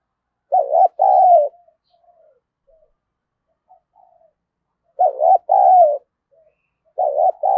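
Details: Decoy spotted dove calling to goad rivals into a fight: three mellow two-part coos, a brief stuttered note followed by a sustained falling coo, with faint soft murmurs in the gaps.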